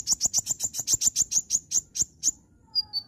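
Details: Oriental magpie-robin in gacor nembak song: a rhythmic series of about fifteen sharp, very high chipping notes, several per second and slowing at the end, followed by soft descending whistles.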